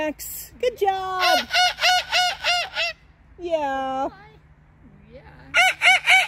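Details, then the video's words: Loud, pulsing harmonic screeches from a pet Moluccan cockatoo in a summer park, repeated about three times a second in throbbing runs, with a sliding squawk between, given as joyful greeting sounds. "Best of Summer - Max Makes a LOT of Joyful Sounds"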